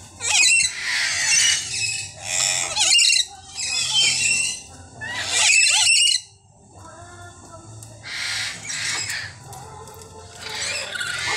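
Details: A flock of chattering lories at feeding time give harsh, grating screeches in loud bursts about every second or two, with several birds calling together, then quieter squawks.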